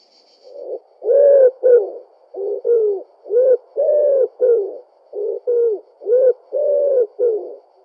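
Common wood pigeon giving deep, soft, husky coos in rhythmic phrases, a longer stressed note followed by shorter ones, repeated steadily; a brief faint high tone at the start.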